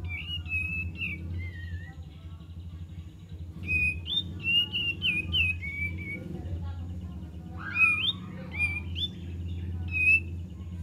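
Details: Lure song of the kapas tembak, a run of bright whistled phrases with quick up-and-down slurs and brief pauses, over a steady low hum throughout.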